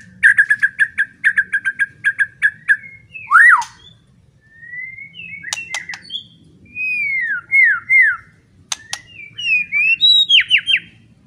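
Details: Loud, provoking song of a White-rumped shama, meant to stir other shamas into agitation and fighting. A rapid series of short repeated chipping notes gives way to clear rising and falling whistled phrases and sharp downslurred notes.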